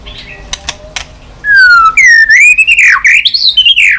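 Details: White-rumped shama song used to rouse weak birds: a few clicks, then a long, loud, descending whistle followed by warbled rising and falling phrases.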